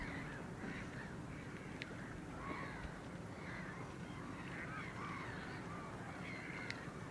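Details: A single Caspian gull recorded 9 March 2016 repeats short, arched, nasal notes in loose bursts, some slurred downward, against constant low-pitched background noise and an occasional faint click.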